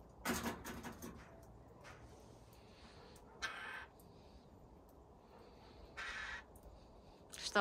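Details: A Eurasian jay in an aviary where jays are eating grapes gives harsh, rasping screeches in three short bursts a few seconds apart, with quiet human speech in the background.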